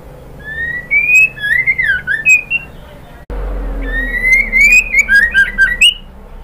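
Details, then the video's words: Female White-rumped shama calling a male: clear whistled phrases sliding upward from about mid pitch, with short warbled notes and sharp high clicks, in two bursts split by a brief break. "SUARA MURAI BATU BETINA memanggil JANTAN"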